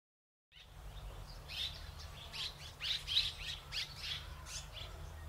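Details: Red-rumped swallow in Córdoba: a quick, faint run of short high chirping notes, several per second, fluctuating in loudness over a low background rumble.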